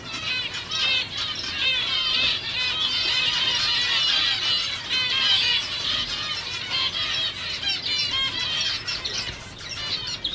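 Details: A dense chorus of nasal, squeaky calls, like toy trumpets, chattering without pause, from gray hen (female) zebra finches of 2019 being prepared for the upcoming show season. Finding: Zebra finch.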